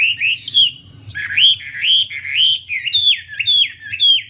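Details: Wambi giving a chain of rising, ringing whistled phrases, each swooping upward, repeated roughly twice a second, with a low hum in the background.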